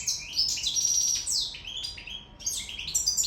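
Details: Sicilian European goldfinch singing in love: fast high twittering song with tinkling trills and a sustained bright note, continuous bubbling phrases, a faint steady hum underneath.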